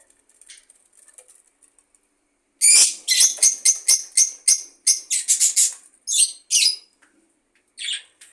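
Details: Budgerigar with faint ticking at first, then a sudden burst of rapid, bright, scratchy chirps, slowing into separate pairs and a last lone chirp.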